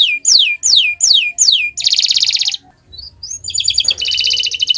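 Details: Canary singing on a Friday morning, repeated descending whistled sweeps about four per second, then a dense buzzy trill, a brief pause, and a rapid metallic rattling trill.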